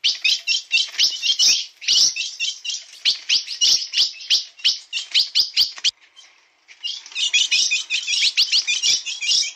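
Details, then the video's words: Bico de aço song of a blue-black grosbeak: a fast flow of high chirps for about six seconds, a near-silent gap of under a second, then the rapid twittering resumes. "Azulão bico de aço na pegada"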